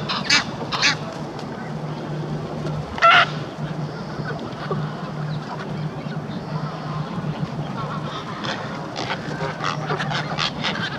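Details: A quarrelsome bunch of grey herons arriving to be fed beside the Serpentine give harsh, hoarse croaks: two quick ones at the start, a louder burst near three seconds, and softer rasps later over a steady low hum.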